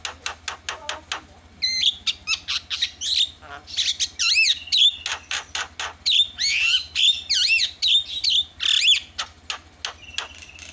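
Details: Starling song played to goad a silent starling into chattering: quick clicking notes mixed with wavering, warbled whistles and bursts of squeaky chatter, loud and busy throughout, over a low steady hum.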